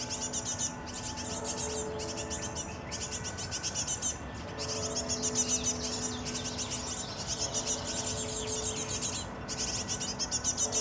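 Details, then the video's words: Great tits (Parus major) feeding fledglings: dense, very high, scratchy chatter in bursts of a second or two separated by short gaps, over a steady low mechanical hum. "Большие синицы (Parus major) кормят птенцов слётков"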